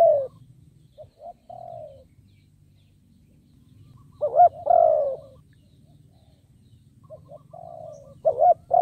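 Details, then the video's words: A spotted dove kept as a decoy to entice wild birds gives soft clipped notes and a mellow coo, falls quiet, then delivers one loud throaty phrase midway and another beginning at the end, with a steady low hum. "Cu Gáy Kích Bổi Nhanh Nổi"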